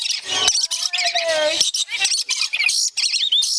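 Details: Male and female lories playing excitedly in courtship, the female prompting the male to bite a hand; rasping squawks with nasal buzzy notes and short rising whistles, in quick bursts separated by brief pauses.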